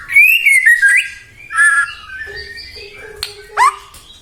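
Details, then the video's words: White-rumped shama song played to make other shamas sing: separate loud whistled phrases, slurred and descending, with brief sharp upward-sweeping notes and quieter gaps between. "murai batu gacor AMPUH buat PANCINGAN murai batu agar bunyi JADIKAN burung murai gacor EMOSI NYAUT"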